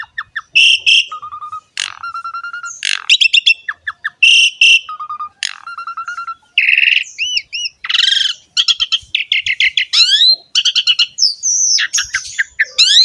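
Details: Asian pied starling in full, prolific song, played as a training song to prompt young or reluctant birds to sing: a rapid, varied medley of short bright chirps, buzzy chatters, level piping whistles and rising slurred notes, almost without pause.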